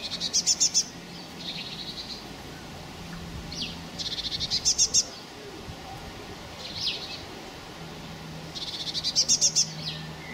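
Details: Common blackbird young, recorded 26 May 2018, repeat bursts of rapid, piercing, high ticking pulses roughly every four seconds, each burst under a second long, against quiet background chirps and a low hum.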